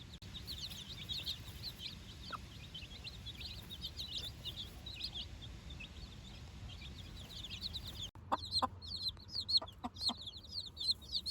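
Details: A brood of four-day-old chickens with their mother, first time out on fresh grass; softer high peeping at first, then louder, closer cheeps mixed with sharp clicking taps in the last few seconds.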